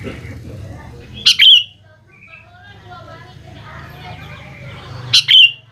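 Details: Sooty-headed bulbul lure song to prompt young birds to answer: two short, bright, bubbly phrases about four seconds apart, with faint warbling and a steady low hum between them.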